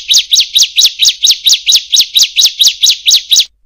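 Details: Bar-winged prinia song, used to train caged birds: about fifteen loud, sharp, zigzagging high chirps at an even pace of roughly four per second, then silence.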